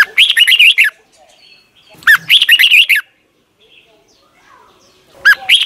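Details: Thai caged Red-whiskered Bulbul with doubled song, played each morning for young birds to copy. Loud, rollicking whistled phrases repeat roughly every two seconds, each a fast string of up-and-down notes, with a third starting at the end.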